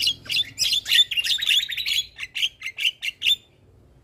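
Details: Dense, harsh Javan myna song recorded to train other mynas: a tumbling rush of grating notes and whistles, slowing to separate rasping chirps before falling silent.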